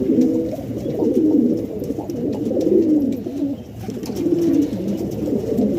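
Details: Pigeons in Pakistan coo in low, throaty, rolling phrases that overlap and repeat continuously.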